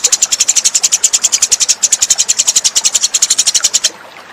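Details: Eurasian tree sparrow lure recording: a fast, steady run of sharp, high chirps, about three or four a second, that ends abruptly near four seconds, leaving faint background hiss.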